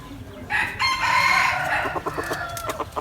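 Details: Hen calling: a loud, drawn-out harmonic squawk lasting over a second, followed by a run of quick, softer clucks.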